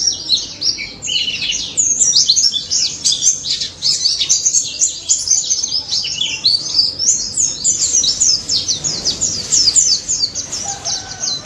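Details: Dense wild-style song of a pleci daput white-eye, offered as a lure for mute white-eyes: a fast stream of high, sharply slurred twitters and chirps running without pause through the whole stretch.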